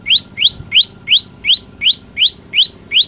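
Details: Olive-backed tailorbird singing in an energetic burst: nine quick, sharp rising chirps evenly spaced at about three per second, each note strong and clear, over a faint steady hum.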